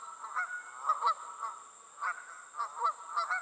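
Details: Honking geese passing in flight, a dense run of short nasal calls, several overlapping, packed into a few seconds, over a thin steady high tone.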